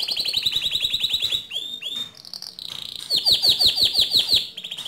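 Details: Canary singing in a loud, fast stream of rapid repeated high notes, sweeping whistled slides and a dense rattling trill, played for training other canaries to sing.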